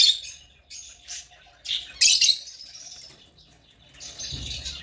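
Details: Separate bursts of shrill, buzzy chirping from African lovebirds, each a short harsh squawk spaced irregularly with brief quiet gaps, loudest around the middle.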